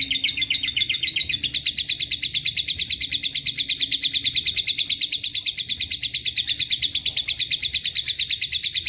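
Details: Lovebird giving a long ngekek chatter said to be filled with cililin and canary phrases: a fast, steady train of high, buzzy, rattling notes, with a brief pitch shift and no pause throughout.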